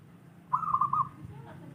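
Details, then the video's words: Local wild zebra dove singing: one short burst of rapid, rolling, staccato cooing notes at mid pitch, lasting about half a second, over a low steady background hum. "masteran suara burung perkutut lokal alam malas bunyi"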